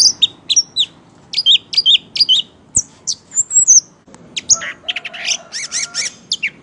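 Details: Anis merah, the orange-headed thrush, in full gacor song while swaying as if drunk: crisp repeated two-part chirps, a thin rising whistle, then dense chattering phrases at the end.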